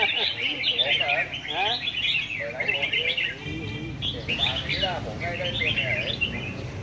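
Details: Red-whiskered bulbul from A Lưới singing at a contest: continuous, bubbly, fast warbled phrases with a brief buzzy trill midway, and lower chirps and voices mixed in.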